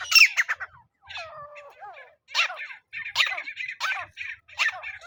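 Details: Francolin (teetar) sound used for trapping with a net: loud harsh high squawking notes in ragged bursts about once a second, broken by a few drawn-out nasal notes.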